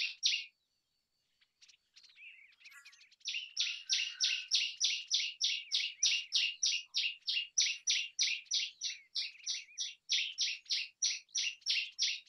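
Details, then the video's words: Common tailorbird song: a long, steady series of loud, sharp, high notes repeated roughly three times per second for about nine seconds, after a short pause and a few scattered chirps at the start. "Common Tailorbird Call ! Common Tailorbird Sound ! Common Tailorbird Song"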